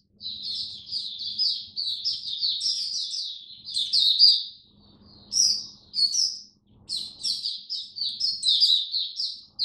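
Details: Caged oriental white-eye in song while on a diet adjusted for cold, rainy weather: a long, fast run of high, thin warbled twitters, broken by short pauses and ending in brighter bursts.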